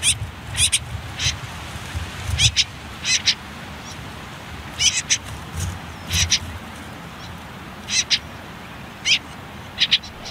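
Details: Common whitethroat chicks in their nest on the final day before fledging, riverside among reeds and nettles: scattered pairs of rasping high notes separated by gaps of about a second, with low rumbling noise underneath.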